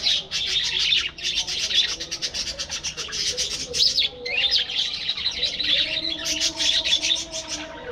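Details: A flock of captive budgerigars in a breeding colony aviary chatters almost continuously, with dense high chirps and warbles that overlap, broken by a short pause near the middle.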